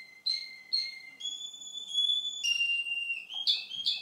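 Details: Male Russian canary singing, recorded two months after an earlier recording of the same bird: long, pure whistled tones held steady and stepping between pitches, two short opening notes, then sustained high and lower notes, ending in brief buzzy bursts, indoors.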